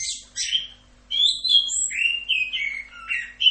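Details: Orange-headed thrush, full rock'n roll tutor song: two high chirpy bursts, a brief pause, then a continuous run of clear whistles and twisting warbles that drop and rise in pitch, with a faint low hum beneath.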